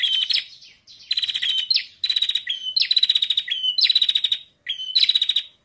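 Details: Bar-winged prinia female calling to get males singing; series of high clipped notes followed by fast rattling trills, about six bursts with short pauses, clear and close.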